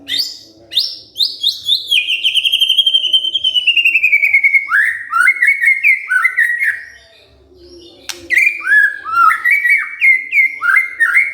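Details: White-rumped shama singing after being provoked into an emotional response: a long sliding whistle descends slowly, then bursts of rich, varied whistled phrases rise and fall, with a steady low hum underneath.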